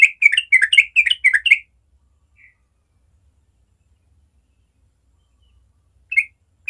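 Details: Yellow-vented bulbul (trucukan) giving its natural morning ropel song: a quick run of about ten bubbly, warbled notes in the first second and a half, then silence and one short note near the end.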